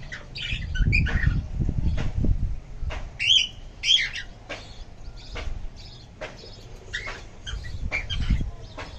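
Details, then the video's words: Evening chirping of lovebirds in a green setting. Scattered harsh chirps and squeaks stand over a steady low rumble, and clusters of calls come around the middle. "Love Birds Chirping"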